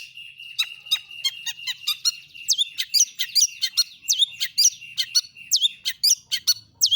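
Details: Lure song of a long-tailed shrike, used to make other shrikes sing: a busy mix of harsh chattering notes and quick, sharply falling-then-rising whistles, over a faint low hum.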